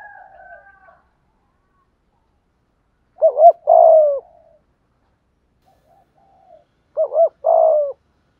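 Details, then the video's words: Spotted dove cooing in the "thúc gù" style, meant to trigger cooing in wild and decoy doves. Soft murmuring opens the clip, then two phrases of a double note and a falling coo come about four seconds apart. "Tiếng cu gáy THÚC GÙ ( bài bản ) giọng hạp bổi, nghe rất nhanh nổi"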